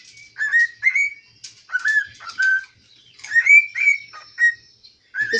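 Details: Cockatiel kept as a pet, believed male since it talks, sings in a home kitchen, giving bright rising whistles and slurred chirps in uneven phrases with brief pauses, ending in a short burst of notes.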